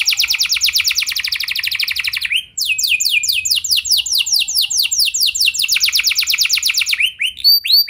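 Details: Loud canary song intended to make other canaries join in long singing: a dense high buzzing trill for two seconds, a brief gap, then a long run of fast descending whistled slurs ending in a few looping notes.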